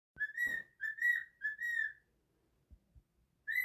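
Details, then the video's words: A female pet bird sings to her mate with clear, steady whistled notes in four quick phrases over two seconds, then starts another, with two soft knocks in the gap. "my bird singing to her man"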